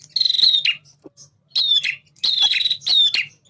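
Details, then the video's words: Energetic male prinia, a semi–klawu style singer used to trigger responses in caged birds: four bursts of rasping buzz with a sliding high whistle, closely spaced within a few seconds. "PRENJAK JANTAN GACOR burung bahan cepat respon dengan suara ini."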